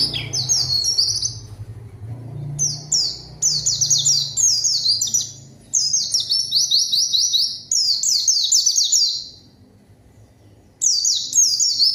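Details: Lively white-eye song meant to draw untrained rivals into responding. Bursts of quick, sharply descending high whistles, each burst about a second long, separated by short pauses, with faint low background rumble early on.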